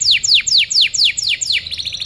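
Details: Canary tutoring song (masteran) for other birds: loud downward-sweeping whistled notes repeated about four times a second, ending in a faster, softer stuttering trill.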